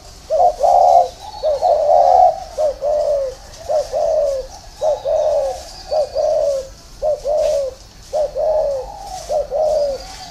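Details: Spotted dove in a steady run of cooing phrases over ten seconds, each a quick note followed by a sustained hollow coo, repeated about once a second with faint background chirps.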